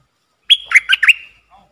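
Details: Red-whiskered bulbul used as a caged decoy to lure wild birds, dated 23/07/64: one quick phrase of about five rich, chortling whistled notes that rise and fall, ending in a faint low note, with no other sounds.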